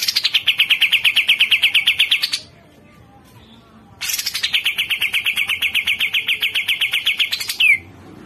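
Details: Grey-cheeked bulbul (cucak jenggot) in a tutor recording: two long, machine-like strings of quick descending notes, about six per second, the second ending in a short downward squeal, with a silent pause between.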